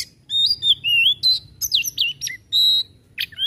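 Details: Kacer, the Oriental magpie-robin, singing energetic 'tembakan' bursts: clear sweet whistles, some long and level, others wavering or sharply slurred, broken by brief rasping notes in a rapid, varied phrase.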